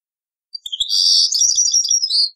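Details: Old cassette recording of a European goldfinch in taqsrain song style: a dense, continuous, high-pitched warble of tinkling and buzzy notes lasting nearly two seconds, ending in a sharper rising note.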